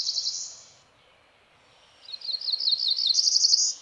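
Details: Wild cerulean warbler singing along Ozark streams in Missouri, Meramec and Big Piney Rivers area: a high buzzy burst, a pause, then a quickening series of high notes accelerating into a rising buzzy trill, with faint stream noise beneath.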